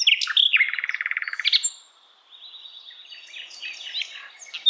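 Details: Asian brown flycatcher song used as a tutor recording for other songbirds to copy: a fast buzzy trill of rapidly repeated notes, then a quieter stretch of high, thin, scratchy twittering.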